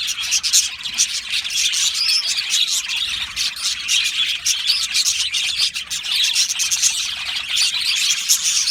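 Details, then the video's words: Australian budgie colony in an aviary, numerous birds chirping and singing together; dense scratchy warbling and clipped tweets pour out without a break, rising and falling slightly in volume. "Budgie singing and chirping sounds"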